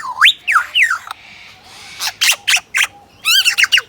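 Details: Superb lyrebird held at Adelaide zoo imitating a camera: a few looping rising whistles, a hushed gap, then a series of sharp, noisy shutter-like bursts and wavering chirps.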